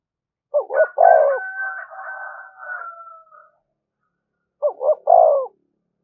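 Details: Spotted dove decoy cooing nonstop to provoke fighting: a stuttered low coo phrase, then a long higher drawn-out wavering call from another bird, then a second coo phrase.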